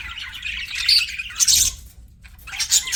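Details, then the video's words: Budgerigar chirps and squawks in short bright bursts, a loud burst near the middle, then a brief quiet gap before the chatter resumes. "CUTE PET BUDGIES"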